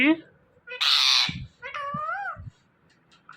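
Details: Talking parrot saying "Mithu": a short nasal note, a harsh loud screech lasting half a second, then a nasal rising-and-falling syllable, with faint low thumps.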